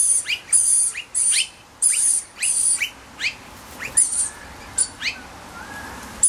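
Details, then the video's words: Rainbow lorikeet chick in spring, crying with short rising squeaky notes in quick bursts, over a repeated high hissing pulse about every 0.7 seconds. "Spring Rainbow Lorikeet chic"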